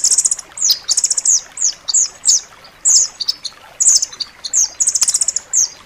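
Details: Rambatan loreng nuthatch, recorded as a dense, sharp master song for training pet songbirds: high, bright chirps and short slurred notes in quick clusters, irregularly spaced, with faint background hiss.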